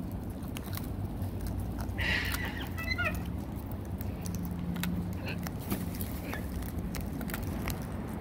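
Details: Aussie cockatoos gathered at feed time alongside a bush turkey: a rasping broadband screech around two seconds, followed by a short stuttering series of clipped harmonic notes, amid constant low hum and scattered clicks.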